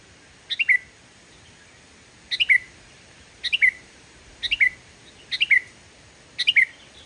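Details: Energetic sooty-headed bulbul singing without mimicry, used to provoke quiet bulbuls: six crisp descending three-note whistled phrases repeated at a steady pace of about one per second, against a light constant hiss.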